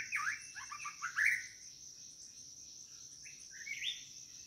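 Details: A White-rumped shama calling for a mate opens with a burst of quick, sharp downslurred notes, pauses, then gives a short rising whistle. A steady high-pitched insect chorus runs throughout.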